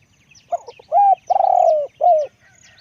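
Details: Decoy spotted dove with a deep voice: a few soft clipped notes, then three low coos. The middle coo is long and tremulous, the outer two shorter and arched. Faint bird twitters are above.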